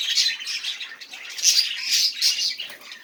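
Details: Budgerigar chatter played to get silent budgies singing: dense, scratchy warbling with squawky notes and brief bright whistles running without a break.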